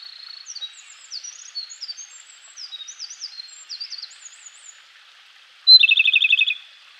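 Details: Japanese robin singing energetically in a forest in the Koshin mountains of Japan, early morning in May: faint, varied high chirps, then a loud, rapid, rattling trill of evenly repeated notes near the end.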